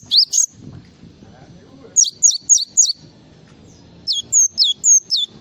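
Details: Java sparrow singing full filler song: a pair of high notes, a pause, four quick falling slurs, another pause, then five more bright notes, mixed flat and descending.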